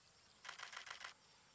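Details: Baillon's crake (Zapornia pusilla) gives a brief dry, scratchy rattle of about six quick clicking notes in under a second, against faint background hiss.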